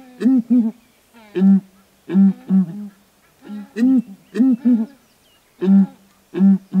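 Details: Southern ground hornbills duetting from a perch on a branch in Kruger National Park give deep, hollow booming notes in short groups of two or three, each group about a second apart, with faint higher overtones.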